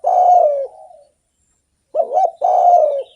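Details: Spotted dove singing actively, kept as a lure to stimulate other doves: deep, hoarse coos around a low pitch, a long slightly falling coo, then after a pause a quick wavering double note followed by another drawn-out coo.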